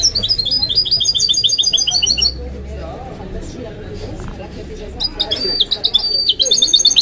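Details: Kept goldfinch-canary mule singing: a rapid, high, sparkling trill of repeated notes for two seconds, a quieter gap, then another bright trilled phrase with sharp whistled notes.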